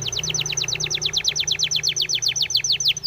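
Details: Training song of a Spanish timbrado canary, a rhythmic run of loud, quickly repeated downward-sweeping notes, roughly ten per second, sustained throughout over a soft low hum.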